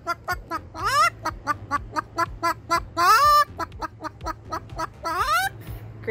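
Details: Pet Moluccan cockatoo barking on request for its owner: a series of short, harsh, clipped barks, some stretched into rising squawking slides, roughly evenly spaced, with light background hum.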